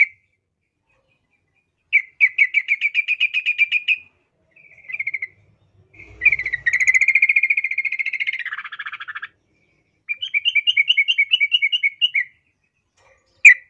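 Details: Sooty-headed bulbul in full voice for training young birds: long chattering trills of fast repeated notes, one sliding lower, with a brief low thump in the middle.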